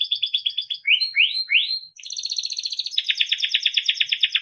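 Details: Melodic Timbrado canary song for training: a row of quick chirps, three rising swooping notes, then fast bubbling trills that grow louder and fuller toward the end.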